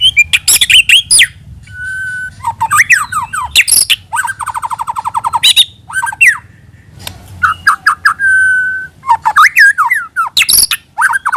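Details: White-rumped shama song as a lure: harsh clicks and bursts mixed with rapid buzzy trills and short level whistles, varied and jerky throughout.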